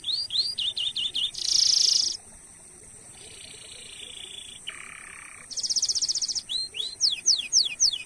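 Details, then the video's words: Canary song used as a training lure to get other canaries singing, with unique shots, cuit cuit notes and long rolls: repeated upswept whistles, dense buzzing rolled trills at several pitches, then fast sweeping whistles; steady high hiss throughout. "Masteran Suara Burung Kenari Gacor Nembak Suara Unik/Pancingan Ampuh Kenari cuit cuit Ngerol Panjang"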